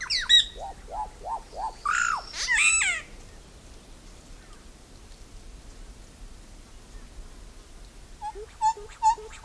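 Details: Iraúna-de-bico-branco (solitary black cacique) gives a run of short upward-hooked notes and a harsh buzzy burst, then after a pause a series of paired low hoots over faint background hiss.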